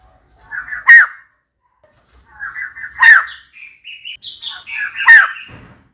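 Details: A female white-crested laughingthrush calls out for a mate, giving loud explosive notes roughly every two seconds, each preceded by soft chattering, with a thin rising whistled phrase between the last two.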